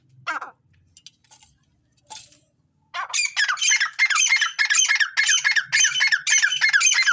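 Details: Grey francolin, a fighter bird, calling during fighting: a few scattered notes, then a loud, harsh, grating call repeated rapidly in a steady run of squawking bursts, nearly two per second.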